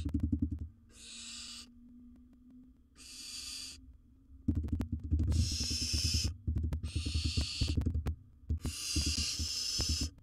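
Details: Repeated harsh, wheezing hisses, five in a row, from a wild barn owl in a monitored nest box while it swallows large prey, mixed with heavy thuds and rustling.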